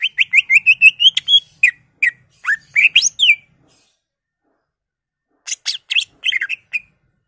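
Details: Lure song of a greater green leafbird meant to stir other leafbirds to sing, in 'bongkar isian' style: a quick ascending chain of bright whistles, then swooping slurred notes, a two-second silence, and a burst of harsh chattering chirps.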